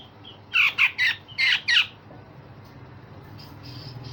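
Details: Grey-cheeked bulbul, a cucak jenggot in full song, whose coarse rasps and sharp shots are used to tutor other cage songbirds. Five loud, rough, scratchy notes come in quick succession, then quiet with a faint low hum.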